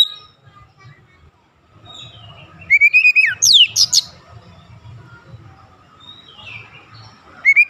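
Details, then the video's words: White-rumped shama singing as a lure to provoke other birds: mostly quiet with soft distant notes, then a short burst of a rising whistle and steep looping notes near the middle, and a final bright whistle at the end. "PANCINGAN KACER ANTI BISU mancing Kacer lain cepat emosi dan gacor"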